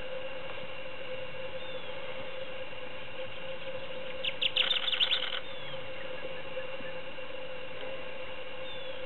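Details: A single burst of rapid, bright chattering song notes from a Kirtland's warbler (Setophaga kirtlandii), about a second long, with a steady droning hum underneath and music faintly nearby.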